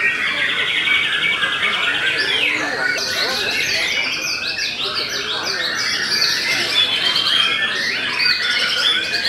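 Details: Belanda-type white-rumped shama delivering continuous rich song: fast trills and warbled whistles layered closely together with no pauses, loud and steady throughout.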